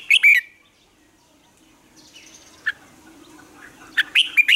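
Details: Morning song of a red-whiskered bulbul used as a training lure: a loud chirpy burst at the start, then near silence with a soft hiss and a single note, ending in a quick run of sharp whistled notes.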